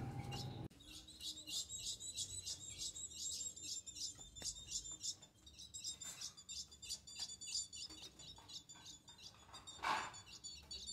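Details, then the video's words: Young female ultramarine grosbeak, eight months old, begging for mating: rapid series of thin, high chirps repeated several times a second in bursts, with occasional soft knocks and handling noises in a small room. "FÊMEA DE AZULÃO Melhor do Brasil Com apenas 8 Mês Pedindo muita Gala"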